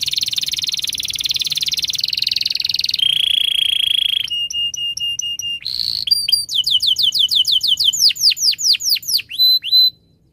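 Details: Canary song used to coax young canaries into learning to sing: buzzy sustained trills shift in pitch, then clipped repeated notes and a fast series of sharp down-sweeping chips that quickens before ending.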